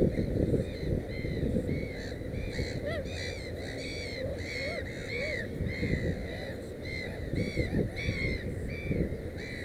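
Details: Black-headed gull beside its nest holding three chicks; rapid series of grating, ringing calls repeated about twice a second, several overlapping voices, over constant low background rumble.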